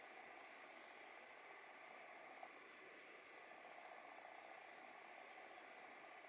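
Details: Meadow bunting, digiscoped in mid-November 2020: three bursts of very high, sharp triple notes, each cluster a quick 'tsi-tsi-tsi', spaced about two and a half seconds apart over a steady hiss of background noise.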